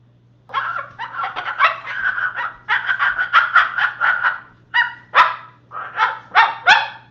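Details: Pet Moluccan cockatoo, one of three birds kept at home, giving a long run of rapid, harsh barking and yapping notes in quick succession, some louder honking bursts near the end, a faint steady hum beneath.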